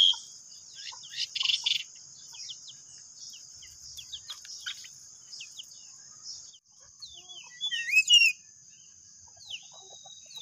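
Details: Three pied bushchats singing 'ngeplon' at home as if at a contest: a busy mix of buzzy bursts, sharp chips and sweeping whistled slurs, with a louder looping whistle near the end, over a steady thin high whine.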